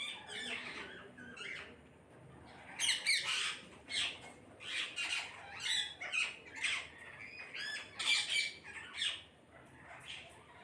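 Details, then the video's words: Group of parrots squawking together, with rapid harsh screeches coming in quick overlapping bursts about every half second through most of the stretch. "கூட்டமாக கிளிகள் சத்தமிடுகிறது"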